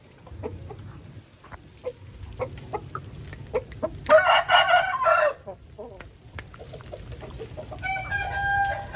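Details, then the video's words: An Aseel rooster, recorded after rain, gives one loud, harsh, rasping crow lasting about a second, among scattered soft clucks and clicks, with a thinner tonal call at the end. "Aseel Bird Sound Effect"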